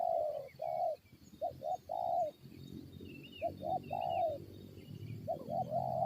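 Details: Wild spotted dove answering a lure bird in a fight, giving low soft coos in broken groups: paired short notes then longer drawn-out croo, separated by pauses, with faint high chirps of other small birds behind.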